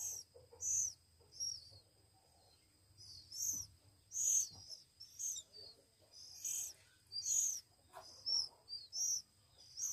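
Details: One-week-old Oriental magpie-robin chicks being hand-fed, giving high, thin, squeaky begging calls in short bursts roughly once a second with uneven gaps, some doubled or trilled, over a faint low hum.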